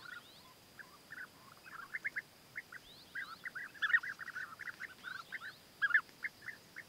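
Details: Courting European bee-eaters, a male bringing food gifts to a female, give a busy chorus of short rolling trills that overlap and repeat steadily against a soft background hiss.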